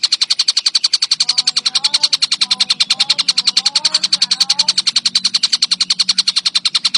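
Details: Collared kingfisher calling nonstop, kept for training songbirds: harsh, buzzy kek notes repeated steadily about three and a half times a second throughout, with faint whistled phrases from other birds softly underneath.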